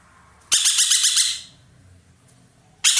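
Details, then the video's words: Ekek keling (dollarbird), a loud-voiced bird kept as a tutor bird for songbirds, calling energetically: one harsh, rasping burst of about six quick pulses lasting nearly a second, then quiet before a second burst begins. "burung ekek Keling gacor nembak"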